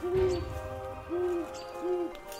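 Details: Low humming hoots of a great horned owl, its typical communication sound, three soft even notes roughly a second apart, somewhat quieter, with faint low background noise.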